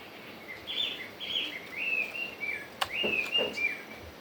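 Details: Chinese hwamei singing in the true wild forest voice: a flowing run of clear, slurred whistled phrases that rise and fall, with two sharp clicks near the end over faint background hiss.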